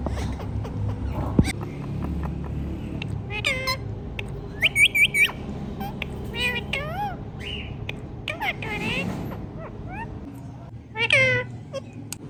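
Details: A talking rose-ringed parakeet gives scattered harsh, wavering syllables and a short cluster of quick repeated notes, with a louder squawk near the end over steady low room noise.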